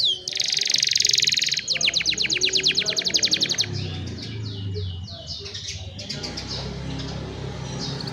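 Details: Singing young canaries meant to train other canaries, captured on a cellphone. A bright rapid trill leads into quicker pulsed rolls, then softer scattered notes over steady background hiss.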